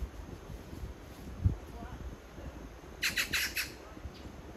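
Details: Magpie serenading a partner only a few metres off: after a quiet stretch, a single quick burst of four harsh, rasping chatter notes, with faint low background noise.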